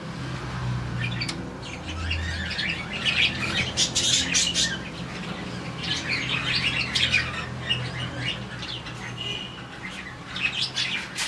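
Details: A colony of around 40 budgies in the morning, chirping when happy. Dense overlapping chatter of high, scratchy chirps and squawks runs throughout, with busier bursts around four and seven seconds and a low steady hum beneath.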